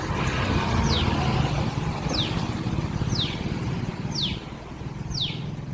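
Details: A small bird calling persistently for a long time on a balcony, apparently searching for something, possibly its mother: sharp, high, down-slurred chips about once a second, over steady low traffic rumble.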